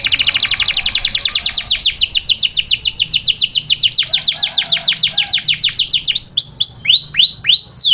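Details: Grey canary inside its cage indoors, delivering a long rapid buzzy trill that gradually slows into a run of distinct arching whistled notes.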